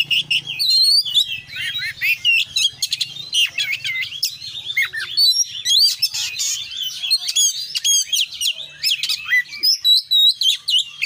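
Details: Energetic Oriental magpie-robin song, 'konslet' style full of varied fill-in phrases: a dense stream of high whistles, quick chirps and sharp clicking notes in steady bursts, a low hum underneath at the start.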